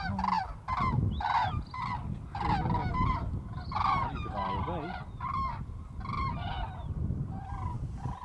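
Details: Common cranes in mass migration over Strabrechtse heide heathland, Netherlands, 5 March 2013; many birds giving loud, rolling, trumpeting calls in overlapping bursts, steady low wind noise and a brief voice beneath.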